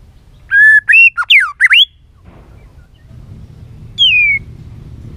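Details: White-rumped shama singing in varied voices to stimulate other birds. A quick sequence of whistles, then swooping slurs, and after a pause a single loud falling whistle over faint background noise.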